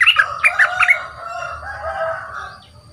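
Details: Young caged bulbul, a new decoy bird in training, two months in the cage, said to have a big voice: a quick burst of bright chirping notes, then long, level whistled tones fading out.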